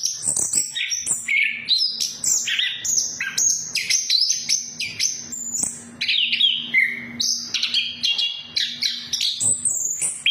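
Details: Orange-headed thrush song used as a lure to get silent captive thrushes singing, in ngeplong and ngeriwik style: a fast, unbroken run of varied high whistles, trills and sharp chirps, with steep rising and falling phrases jumping between registers.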